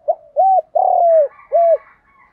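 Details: Spotted dove cooing as a lure to attract other doves: a brief note, an arched coo, a drawn-out gently descending coo and another arched coo, followed by faint higher twittering in the background.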